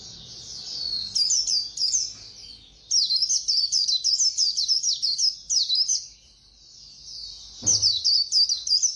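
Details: White-eye singing the Vietnamese 'khuyên líu' style, fast-paced: rapid high twittering phrases of tightly packed chirps, delivered in bursts of one to three seconds separated by short pauses, with a faint low rumble beneath.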